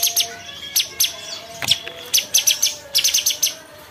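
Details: Bulbul (cucak cungkok) song: sharp, high, clipped chirps repeated in quick bursts, with faint lower steady whistled tones running underneath.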